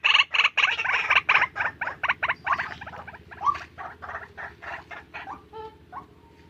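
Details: Tame white-breasted waterhen calling vigorously: harsh, croaking notes in a fast, steady pulse of about four per second, loud at first and fading over the final seconds into softer, spaced notes.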